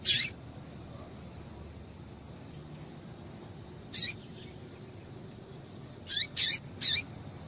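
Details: Female double-collared seedeater calling to stimulate a male: one loud high chip, a long pause, a softer note, then three quick sharp chips near the end.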